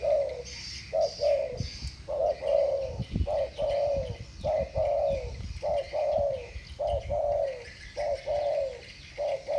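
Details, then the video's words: Spotted doves, two birds in thổ bầu voice, duel with steady mellow coos, each a clipped note then a longer falling one, repeated in a rapid chain, with low knocks and faint twittering in the background. "Tiếng chim cu gáy giọng thổ bầu. 2 con giọng thổ bầu solo với nhau"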